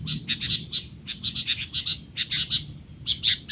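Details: Sooty-headed bulbul in a frantic, noisy calling bout used as a tutor recording for untrained young bulbuls: rapid bursts of short, bright chirps, closely spaced and uneven, over a steady high hiss and low rumble.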